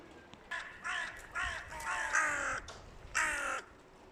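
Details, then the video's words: Two crow clans loudly quarrelling as nesting season approaches: a string of six harsh, drawn-out caws, irregularly spaced about every half second to second, some overlapping, the last one loudest. "Два клана ворон очень шумят / Mating season is near? Two loud crow rivals"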